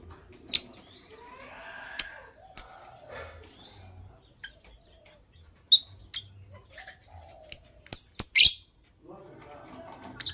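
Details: Lovebirds of Sky Blue Opaline and Green Opaline colour in the morning utter scattered thin, sharp chirps at irregular intervals over soft indoor background murmur, ending with a brief cluster of three louder squeaks.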